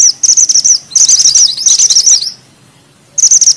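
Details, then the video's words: Mantenan gunung bushchat singing lively in a tight rolling style with sharp bursts: rapid high buzzy trills in three bouts, the middle one long and jumbled, separated by short silences. "Mantenan gunung gacor ngeroll rapat,nembak tajam!!"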